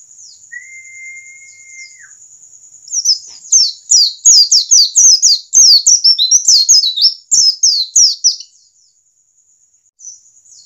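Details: Standard wild white-eye, used to get white-eyes to start singing: after a steady high whine and a short flat whistle, a fast burst of high twittering notes runs for about five seconds, then fades to quiet.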